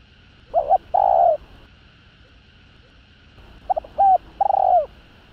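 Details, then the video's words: Spotted dove cooing meant to excite rival males into calling: a short burst of notes and a long level coo, then after a pause a second phrase of stuttered notes ending in a falling coo; steady background hum. "Tiếng Cu Gáy Giọng Hạp BổI Đủ Bài [ GÁY GỌI + THÚC + GÙ ] Kích Bổi Nhanh Nổi"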